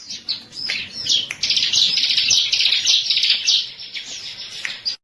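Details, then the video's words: Bar-winged prinia master lure song: a few sharp opening notes, then a sustained high, rattling trill through the middle, fading out and ending abruptly. "MASTER PANCINGAN BURUNG CIBLEK KESAYANGAN"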